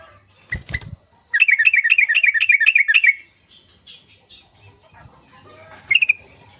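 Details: A lively sooty-headed bulbul sings to draw out reluctant birds. A knock opens the clip, then a run of about eight quick, rising, bubbly notes. Softer chatter and one more bright note follow.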